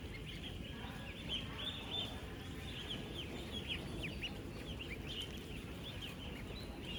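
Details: Dense chorus from 16,000 ten-day-old ducklings kept together on a duck farm: countless high, thin peeps rising and falling rapidly, packed closely over a constant low background hum.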